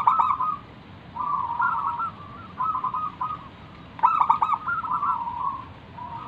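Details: Zebra dove of local wild stock, kept as a lure bird to make other doves answer and sing, uttering repeated rolling, trilled coo phrases in bursts of about a second, separated by short pauses, over low steady hiss.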